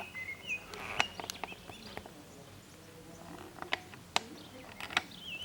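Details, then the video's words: Blackbird perched on an antenna in Zamudio's San Martín town centre, Bizkaia, April 2019, giving a short whistled phrase at the start and another near the end, between sharp clicks and scattered chirps from the surroundings. "ZOZOA ANTENAN ABESTEN / Turdus merula _2019.04.18_ (Mirlo común cantando en la antena _)_"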